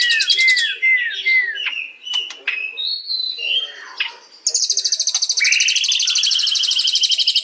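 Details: White-rumped shama song: several falling whistled notes, scattered sharp chips and clear whistles, then an abrupt switch to a sustained fast, high buzzing trill over a rising whistle.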